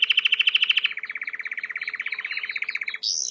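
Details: Singing Timbrado canary for training: a fast high trill dropping into a long, lower, evenly pulsed rattling roll, ending in a sharp high ringing burst.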